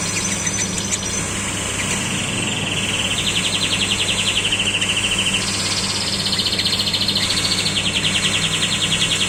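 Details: Common nightingale singing long runs of fast, evenly repeated high notes, one steady pulsed phrase shifting to a higher-pitched one, over a constant low rumble of distant traffic.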